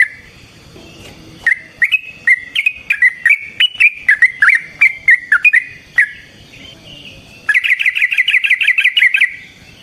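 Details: Yellow-vented bulbul giving its fighting song as a lure: a series of warbled notes bouncing up and down, then a fast rolling trill of repeated buzzy notes at the end.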